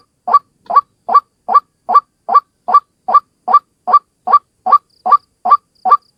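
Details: Lure call of a single white-breasted waterhen: a rhythmic series of hoarse, croaking 'ruak' notes, each a short upslurred burst, evenly spaced at about two and a half per second. No other sounds are heard.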